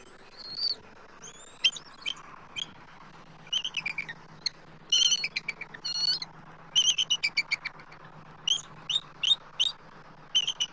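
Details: Adult eagles calling from their nest tree in Southwest Florida, March 2024, as an immature eagle circles overhead; scattered high, piping chatter in quick clusters, with a low steady hum underneath.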